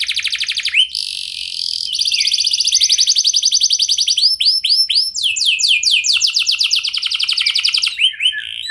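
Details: Canary bait song meant to make other canaries reply, with rapid rolling trills, a harsh buzzy phrase, swooping whistled loops and shifting fast repeated notes continuing throughout.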